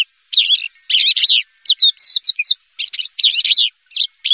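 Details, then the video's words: First-place contest champion Javan bush lark giving scratchy chirp bursts and a few clear whistled notes in quick succession, separated by short silences, with nothing else audible. "SUARA BRANJANGAN JUARA 1"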